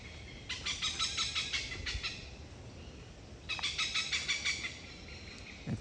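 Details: Near the recordist's home in Thailand, Oriental Pied Hornbills, a protected species usually found in pairs or a flock, give their pair call: two bursts of loud, harsh, rapid cackling notes, each under two seconds, over low steady hiss.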